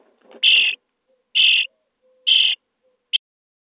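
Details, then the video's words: Nestling starlings in a nest box on day 23 begging while fed: three harsh, buzzy rasps about a second apart and a final short clipped one, with a faint low hum in the background. "Szpaki w budce dzień 23 - karmienie piskląt"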